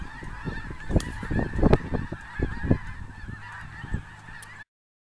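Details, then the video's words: Thousands of snow geese, more than 10000, at a big lake, honking together in a thick steady chorus with low thumping rumbles, fading slightly before cutting to silence near the end. "10000 Snow Geese"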